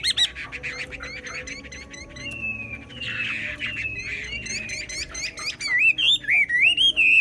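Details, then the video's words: Xòe-style Chinese hwamei song with fast chattering notes and a buzzy drawn-out phrase, ending in loud looping whistled trills. "Họa mi xoè"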